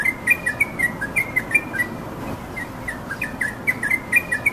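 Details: Wild yellow-vented bulbul singing: short, bubbly, liquid chirped notes in quick clusters, some slurring up or down, with a brief pause mid-phrase before the chatter resumes, over a steady outdoor hiss.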